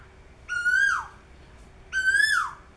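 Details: Asian koel calling from a perch at the very top of a tree: two loud whistled notes with rich overtones, each holding level and then sliding downward, about one and a half seconds apart, over a quiet background.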